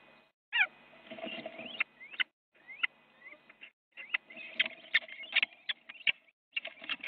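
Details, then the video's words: Little owls fighting in a Dutch nest box on a January morning, one owl having bitten the other: dense scuffling and scratching mixed with shrill rising squeals and harsh screeches in a chaotic overlapping stream. "Little Owl - fight in the nest box an Owl has bitten the another"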